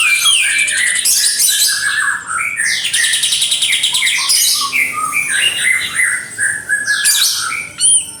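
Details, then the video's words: White-eared sibia (kapas tembak) singing: a busy, irregular stream of bright chirps, short whistled notes and quick trills, overlapping in dense bursts, with some high sweeping notes near the end. "Suara original burung kapas tembak"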